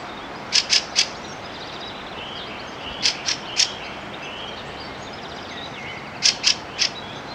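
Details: A Fieldfare on a meadow, foraging for bugs and worms, gives harsh, dry chack-chack-chack calls in three quick bursts about three seconds apart, with faint thin higher twittering behind.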